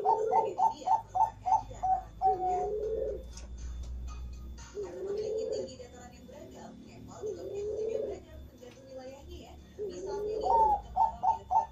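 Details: Bangkok-type zebra dove cooing non-stop in the morning: quick runs of short, bright staccato notes break into lower rolling coos, the phrase returning several times indoors with faint background hum.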